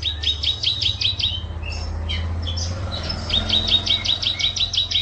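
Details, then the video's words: Canary in 2014 singing a tight roll: fast repeated chirped notes in two bursts separated by a brief pause with scattered twitters, over a low background hum. "Kenari Rol Panjang Rapat"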